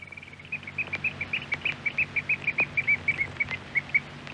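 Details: Eurasian oystercatcher from a Norwegian radio archive recording, giving a series of sharp, high piping notes in quick, somewhat uneven succession, with faint clicks in the background.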